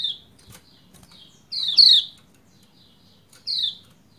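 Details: Lombok female pleci white-eye calling to prompt a male to sing: short, high, descending chirps, with a faint one first, then a close pair, then a single chirp, plus light clicking in the background.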